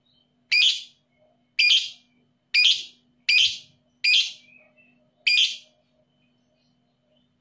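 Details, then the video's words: Lovebird in a 'paud emosi' lure, meant to spur lazy lovebirds to sing: six shrill, rasping shrieks, several coming in quick succession, with a steady faint hum behind them. "PANCINGAN LOVEBIRD PAUD EMOSI"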